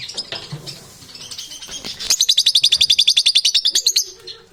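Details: Lovebirds giving strange chattering sounds: high scratchy calls, then a rapid run of sharp, evenly repeated chips, about four per second, over faint background noise.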